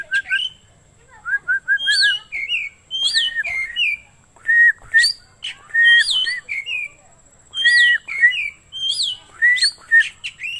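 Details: Oriental magpie-robin singing, for luring or training caged birds; clear whistled notes and repeated descending slurs, phrases every second or so, a man speaking nearby.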